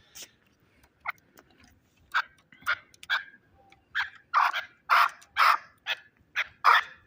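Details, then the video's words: Chukar partridge kept as a fighting bird in Shahritus, sharp harsh chuck notes starting sparse and growing louder and closer together, roughly two per second toward the end. "Кабки Шаҳритус ҷангӣ"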